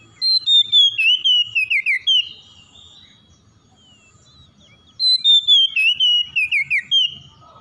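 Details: Morning song of an oriental magpie-robin, used to help stressed birds recover. Two loud bursts of rich whistled phrases, each about two seconds long and stepping downward through quick slurred notes, are separated by a few seconds of near silence.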